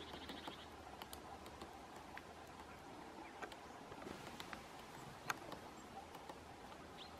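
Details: A great spotted woodpecker pecks a pine cone in a forest in November, with soft, irregular taps and sharper knocks, uneven in pace, over a low steady background hum.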